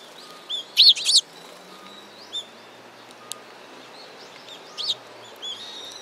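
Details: Sparrows chirping at a Tenmangu shrine in mid-November 2016, a quick cluster of loud, bright chirps followed by softer single notes and a final short burst.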